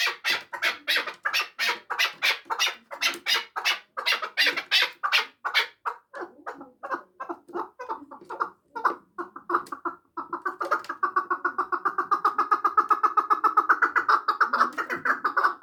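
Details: Chukar partridge in Samarkand opening with loud, evenly spaced harsh chuk calls that fade briefly, then build into a rapid rolling chatter of clucking notes rising in volume.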